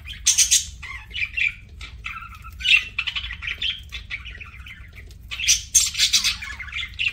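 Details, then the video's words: Budgies, or parakeets, feeding as pets: uneven bursts of scratchy chirps and warbled buzzy notes, loud harsh chatter at the start and end with softer twittering between. "PARAKEET EATING SOUNDS"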